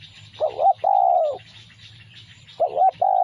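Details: Spotted dove song used as a lure: low mellow coos near 700 in a repeating phrase, a short wavering double note followed by a longer drawn-out coo, restarting after about two seconds, with faint chirping birds in the background.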